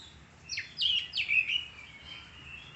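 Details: Oriental magpie-robin song: a short burst of loud, sweeping whistled notes sliding down in pitch, followed by a softer, steady high trailing tone that fades out, over faint low background noise.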